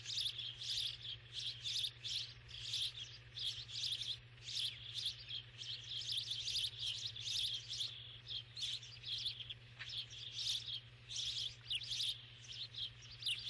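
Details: A long stretch of steady starling calling, with scratchy, shrill chirps repeated in quick uneven bursts for over thirteen seconds. Volume swells and dips, and a low background hum is constant.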